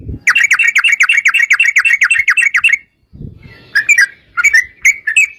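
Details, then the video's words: A yellow-vented bulbul in fighting 'ropel' song used to provoke replies from other bulbuls: a fast rattling burst of about a dozen chattering notes, a short gap, then slower liquid whistled phrases, with brief low thuds. "trucukan gacor TARUNG ROPEL PANJANG pancingan trucukan agar bunyi jadikan burung trucuk gacor NYAUT"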